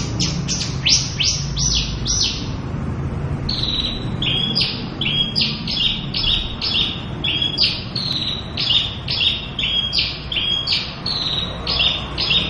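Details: Local Javan bush lark singing its full repertoire: a rapid run of high buzzy downslurred notes, then a steady series of short clipped whistles with small pitch jumps, over a low rumbling background.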